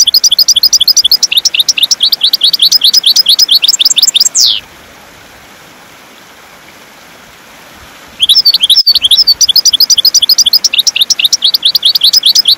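European goldfinch song: a fast, high, tinkling twitter of rapid chirps and trills, broken by about four seconds of near silence midway.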